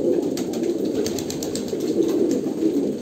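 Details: Short stretch of Kolkata pigeons cooing in chorus, soft throaty burbling overlapping closely, accompanied by quick repeated tapping noises.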